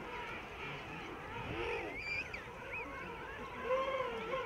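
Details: A dense chorus from a huge king penguin breeding rookery among tussac grass on a steep slope, Salisbury Plain, South Georgia: many overlapping trumpeting, warbling calls with wavering pitch over a steady low rumble.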